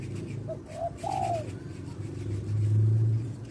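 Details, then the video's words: Male spotted dove lure call for bird trapping: one three-part coo, a short soft note, a second note, then a longer, louder falling croo, followed by a loud low rumble like passing traffic. "suara tekukur#suara pancingan#tekukurJantan"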